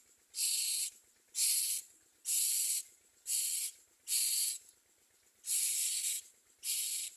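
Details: Common myna chicks at a nest giving harsh, hissing rasps, each lasting about half a second, repeated roughly once a second, seven bursts in all over a quiet background.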